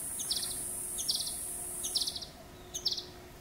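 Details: A male ultramarine flycatcher, a winter migrant in Gujarat, India, perched high in a tree, gives short clusters of high, dry ticking notes, about one burst per second, over a thin, steady insect hiss.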